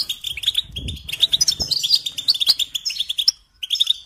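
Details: Goldfinch melody meant to teach songbirds to sing: busy stream of twittered notes and bright chirps, a low rumble early on, ending after a brief pause with a final twittering burst.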